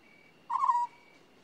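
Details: One brief burred call from an African scops owl: a low, rolling note lasting roughly a third of a second, with a thin continuous high tone behind it.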